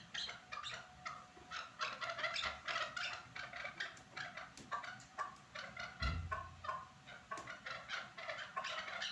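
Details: Chukar partridge at Norak, a sustained stream of rough, rhythmic clucking calls in rapid pulses, with a brief low thump partway through and a faint background hum.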